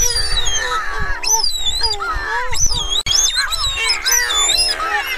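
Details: Streaked shearwaters giving call and song: looping, moaning notes that curve up and down, stacked with harmonics, several birds overlapping above continuous low-frequency rumble.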